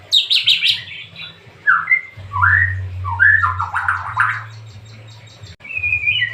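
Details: White-rumped shama singing: varied clear whistled phrases, slurred rising and falling notes mixed with sharp high chips, a brief pause near the end before a final whistled phrase; steady low hum in background.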